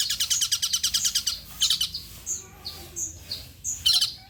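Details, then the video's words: Song of the long-tailed shrike used to lure shrikes into answering: a rapid rattling trill, then a harsh burst and a string of clear high slurred whistles, ending in another short rasp. "PANCINGAN CENDET TERBAIK, SEMUA JENIS CENDET PASTI NYAUT BUNYI DIBUATNYA"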